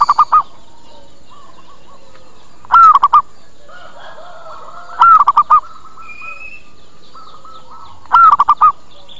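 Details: Local zebra dove lure call for attracting birds that come and answer: three full phrases roughly every 2.5 seconds, each a long coo plus three brief coos, with quieter cooing and thin higher notes between them.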